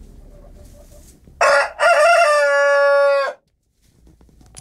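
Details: Morning crow of a Piñeira breeding rooster that wakes the household every day, weekends included: after quiet background murmurs comes a loud raspy crow with a short opening burst, a pause, then a long steady drawn-out note.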